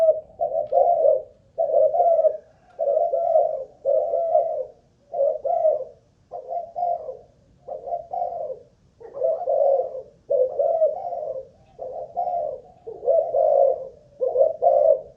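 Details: Spotted dove from a Malaysian line, kept caged as a ground lure and tested for stamina, gives a long series of about thirteen gruff, low coo phrases at a steady, even pace with no other sounds.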